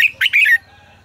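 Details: Red-whiskered bulbul in 'ché căng lửa' style song, used as a training voice: a single rapid phrase of three loud, rich, warbled whistles that falls away within a second.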